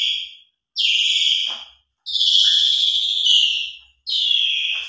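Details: Singing Asian pied starling, recorded as a lure to rouse silent birds. Long, drawn-out harsh whistles each hold for over a second, with a short low note tucked in between. Brief silent gaps separate the notes.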